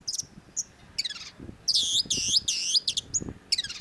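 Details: Long-tailed shrike (cendet) singing: scattered thin high whistled notes, then a run of loud, harsh, buzzy bursts repeated about three per second, with faint low noise beneath.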